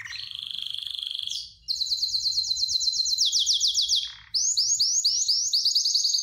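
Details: Excited canary in mating condition singing: a steady trill, then fast repeated high whistled notes in long rolling runs, rising and falling, with a brief buzzy break midway.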